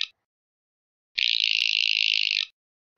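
Northern Shrike giving one harsh, buzzy rasp of about a second and a half, finely pulsed and high-pitched, after a brief clipped note; otherwise quiet.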